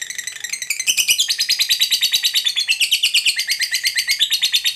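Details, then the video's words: Long ngekek from a fighter lovebird, meant to stir a lazy, quiet lovebird to respond: a continuous shrill chatter of fast, evenly pulsed high notes, rising and falling slightly, with steady rhythm throughout. "Lovebird Bisu Malas Bunyi Bakalan Segera RESPON Terpancing EMOSI NGEKEK"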